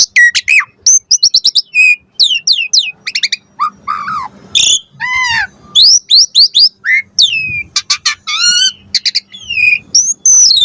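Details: Asian pied starling song played as a lure to make birds answer: a loud, varied run of whistled and harsh notes, many falling sweeps and rising slurs, some grating, with short gaps between phrases and a faint low hum.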